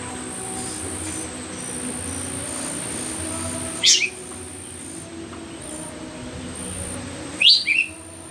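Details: Myzomela recorded unedited on 25 December 2022 for behaviour observation: two sharp, high notes rising steeply, about three and a half seconds apart, over a steady background hiss and a thin, continuous high insect whine.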